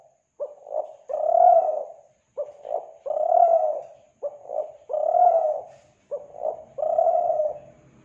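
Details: Lure recording of a spotted dove, Kelantan: four evenly spaced phrases of low, husky coos, two quick notes leading into a longer rounded coo, repeated about every two seconds in quiet surroundings.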